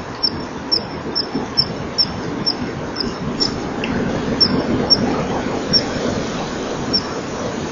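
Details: At 10:41 on 25 November 2012, at a nesting-wall camera, a common kingfisher that has sat a few minutes in the sun on the rear perch flies off with much peeping: short, shrill, high peeps, two or three a second, then scattered ones, over a steady rumble.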